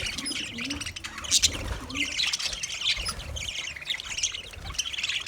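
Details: Budgerigars chattering while feeding, producing a steady mix of raspy squawks and high, buzzy chirps with no pauses, and a few faint lower notes in the background.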